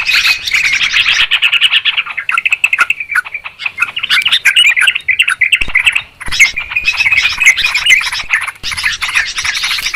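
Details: Sooty-headed Bulbuls calling noisily, a recording used as a trapping lure: rapid chirps and warbled bubbly notes in long dense bursts, broken by a brief pause midway.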